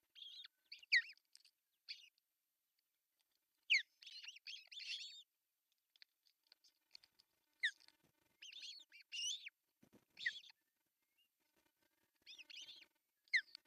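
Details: Nest of ospreys in northern Satakunta, Finland, June 10, 2024, male bringing fish for breakfast; irregular series of high, whistled, downslurred chirps grouped in short bursts over about fourteen seconds, with a faint low thump.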